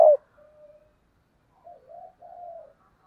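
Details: Decoy spotted dove calling to stir up wild doves: a sharp opening note and a faint flat coo, then after a pause a low three-part coo ending in a longer, slightly falling note.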